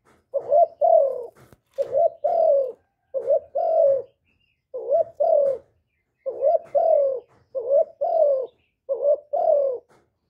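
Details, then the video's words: Spotted dove call used for luring, a clean close recording: a long series of low paired coos, each short warbling note answered by a longer falling coo, about ten pairs with brief pauses, a faint click early on. "TIẾNG CHIM CU GÁY KÍCH MỒI RẤT HIỆU QUẢ, CU GÁY KÍCH TRỐNG CỰC HAY"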